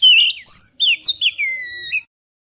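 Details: Oriental magpie-robin singing as a bird lure, recorded with a GoPro Hero: one brief phrase of loud, clear whistles, sliding notes linked together and ending in a long descending slur.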